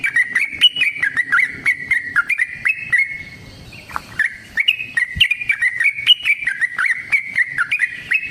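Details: Sooty-headed bulbul in lively, fighting-style long rapid song, used as a lure for caged birds: short liquid whistled notes stepping up and down, repeated several times per second, with a brief pause midway.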